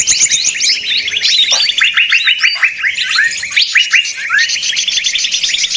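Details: Noisy small birds heard as a trapping lure, giving strings of fast downward-slurred chips beneath thin high whistles, several callers chattering over one another continuously.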